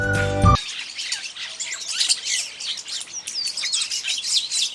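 A flock of Rosy Starlings gives a constant, dense chatter of dry, high squeaks and whistles, after a brief burst of music at the start.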